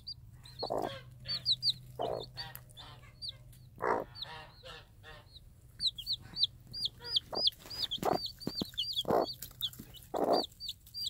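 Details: Tame game hen with day-old chicks, free-range, calling them to food she drops; low, rapid clucks come in short bursts about once a second, over a dense chorus of shrill, downward-sliding chick peeps.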